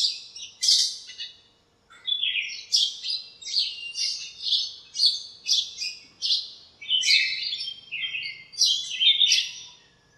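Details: Backyard birds on a sunny morning, gathered in a lemon tree and calling to each other; sharp, high chirps come in short bursts roughly every half second to second, several voices overlapping.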